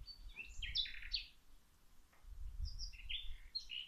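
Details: Birds singing as plants are watered outside: two bursts of bright, high twittering chirps separated by a quiet pause, with a low rumble of background noise.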